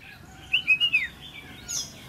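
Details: Red-whiskered bulbul, a trainee decoy bird being tested, sings a short liquid phrase of four quick slurred whistles that drop in pitch at the end. A faint higher note follows.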